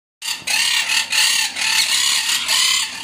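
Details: Lovebird chicks from the first clutch of the season in Jeddah, 2021, give harsh, raspy buzzing calls in bursts of about half a second, repeated one after another.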